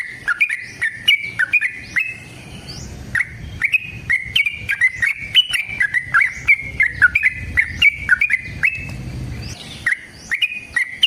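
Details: Yellow-vented bulbul (trucukan) singing a long rapid 'ropel panjang' fighting-style trill, used as a lure to make other birds sing. Choppy bubbly notes stepping around one pitch, brief pause near three seconds, then more runs, with sharp clicking taps throughout.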